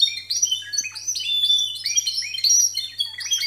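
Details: Timbrado canary in a song contest, discontinuous timbrado style scored 92 and 93 points, recording quality somewhat poor; dense stream of rolling, trilled and metallic notes, short phrases shifting in pitch with brief glides, delivered nearly without pause.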